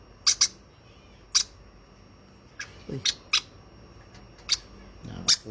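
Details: Young hand-fed conure uttering about nine short, shrill squeaks, some doubled, while faint low human voice sounds come in between.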